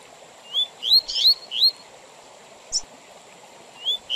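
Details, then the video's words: Double-collared seedeater 'tui tui zel zel' song used for teaching young birds and tournaments: a few clear upslurred whistles with a buzzy middle note, then a quiet gap, one short sharp note and further whistles. "Tui Tui Zel Zel Com Intervalos Para Encarte de Coleiros e Papa capim Perfeito Para Torneios"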